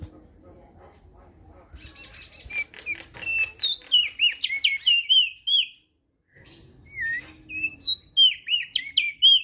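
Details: Crested white-eye from Lombok in melodious song for coaxing lazy singers: soft ticking notes build into rapid high whistled slurs, a short pause, then another energetic burst of looping whistles.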